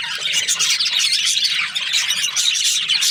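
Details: Budgerigars in breeding pairs keep up a thick layer of high-pitched chirps and chattering warbles, overlapping voices that never fall silent.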